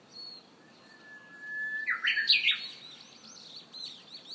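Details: A Japanese bush warbler in early summer in Hiroshima holds a long, even whistle, then leaps into a loud, stepped, fluttering flourish, with thin high chirps of other birds throughout.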